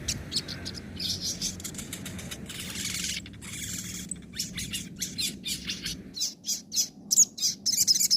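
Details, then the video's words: Crested jay, 'nembak' and 'ngobra' song types as a training recording for other birds: long stretches of rapid, harsh high chattering notes, ending in louder separated sharp chirps, with steady low background hum. "masteran suara sogon nembak & ngobra"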